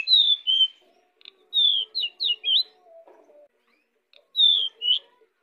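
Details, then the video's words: Pied bushchat singing busily as a lure for other birds. Pairs of clear, high, slurred whistles come, then a quick series of rising and falling notes, and a final short phrase. Faint low hum runs underneath. "Decu gacor untuk pancingan"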